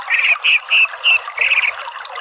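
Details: Orange-headed thrush therapy song, meant to coax a twittering bird into loud clear singing: five loud, slightly buzzy whistled notes in quick succession, then softer trailing notes over a steady background hiss.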